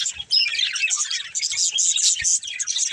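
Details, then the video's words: Budgerigars kept as pets in a family group, loud bursts of squawky chirps and harsh warbling chatter, several birds calling over one another with brief gaps. "Cute Budgies Chirping Sounds"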